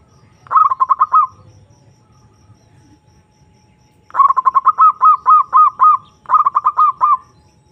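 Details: Perkutut, the zebra dove, calling to a rival as a lure recording meant to stir arousal: a short run of rapid staccato coos, three seconds of quiet, then two longer bursts of evenly spaced, slightly rising notes.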